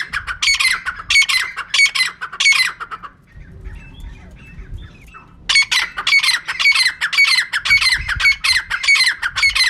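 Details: Bursts of harsh, loud calling from a female francolin, three seconds on, a quiet stretch with faint low sounds, then another run of quick squawks. Intended as a bird-trapping call.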